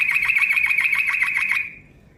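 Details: Yellow-vented bulbul calling as a lure in the long, fast 'ropel' manner: a loud, rapid, even trill of bubbly repeated notes lasting about one and a half seconds, then fading away.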